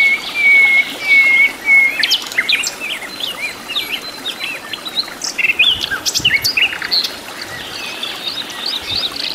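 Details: Flycatcher singing in the wild: a thin, level whistled note repeated a few times, then a rapid, jumbled string of bright chirps and twittering notes, loud and close.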